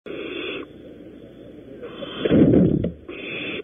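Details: Barn owls at a nest at Audubon Starr Ranch, California, during prey deliveries: a harsh, breathy hiss at the start, a louder scuffling burst in the middle, and another hiss at the end, over steady background noise.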